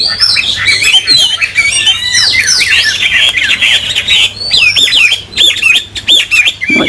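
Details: Loud, varied whistled song of a caged Chinese hwamei its owner has not heard for a long while: rapid sweeping slurs, then a string of repeated looping notes toward the end.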